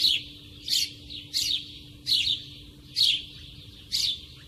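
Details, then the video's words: Sparrow heard near at hand, uttering loud sharp chirps about once every half second to second, each note a brief falling tweet, over a faint steady hum. "Sparrow sound (Nature close sound, lovely, funny, relax...)"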